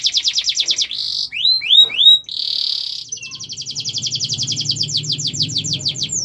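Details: Canary song meant as a tutor and prompt for other birds: rapid trills, a rolling buzzy tour, rising swooped whistles, then a long fast-repeated trill, with low background rumble.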